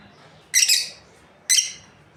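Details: Lovebird pair kept for breeding calling with two strident, raspy chirps about one second apart, the first doubled, in a quiet indoor setting.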